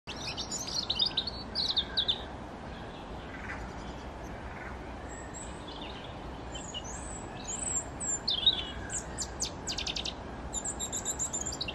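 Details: European robin singing in Yarrow Valley Park, Chorley, on 9 January 2020: high, thin, varied phrases of sharp notes, slurred whistles and quick trills, a short burst early on, a pause, then a longer run, over steady background hiss.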